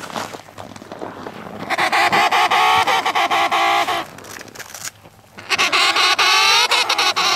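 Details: Emperor penguin on the sea ice between Cape Evans and Cape Royds, giving two long harmonic, trumpeting call bouts of about two seconds each with a short quiet gap between them.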